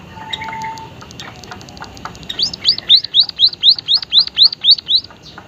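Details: Emprit haji, the white-headed munia (Lonchura maja), in lively, odd-sounding voice: faint ticking, then about twelve sharp, high, up-and-down arched notes repeated steadily around four times a second.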